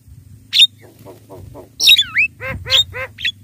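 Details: Javan myna calls meant to draw in wild mynas: a harsh squawk, then descending whistled slurs and a run of rapid nasal notes, over a low steady hum.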